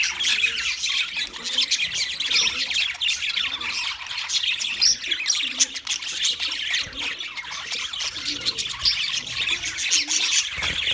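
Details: A flock of wild budgerigars keeps up a constant stream of high, scratchy twitters and chirps, many birds calling over one another for the full length.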